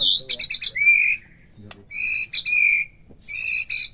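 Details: Captive-bird stimulation recording of white-rumped shama: a quick run of clipped notes, then a drawn-out whistle, followed by buzzy, harmonic-rich sustained notes repeated after brief silences.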